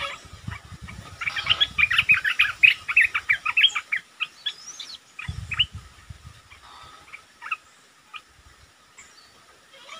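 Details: Red-eyed bulbul decoy calls used for luring wild birds to a trap, recorded 15 January 2022 when the first bird of the year was caught: fast bubbly chattering notes in a busy burst, then scattered short chirps and soft low rustling.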